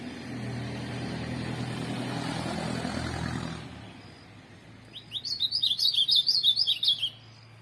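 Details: After several seconds of passing vehicle noise, a tournament ultramarine grosbeak bursts into a fast, twittering two-second song of high slurred notes.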